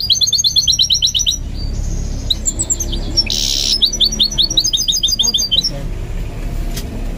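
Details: Training song of a goldfinch mule: quick repeated bright chirps, a sustained thin whistle, a short harsh buzz, then more rapid twittering trills.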